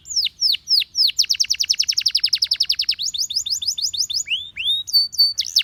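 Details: Gloster canary singing loudly: spaced falling whistles speed up into a fast, even trill of descending sweeps, followed by slower rising notes and a short steady whistle at the end.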